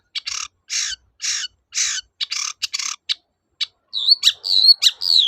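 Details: Long-tailed shrike in full 'toet-toet' song, meant to get silent shrikes singing again; a row of harsh, rasping notes roughly every half second, followed by looping whistled slurs.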